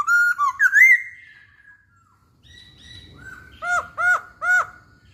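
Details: Masked laughingthrush song for luring: a drawn-out whistled phrase with a wavering end, a pause, then three loud, evenly spaced, ringing upslurred whistles, with faint low rumble behind.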